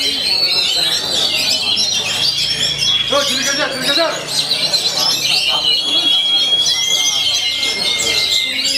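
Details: Oriental magpie-robin (kacer), a caged songbird, delivering nonstop song: a crowded stream of quick whistles, chirps and trills, with longer pure whistled notes near the end.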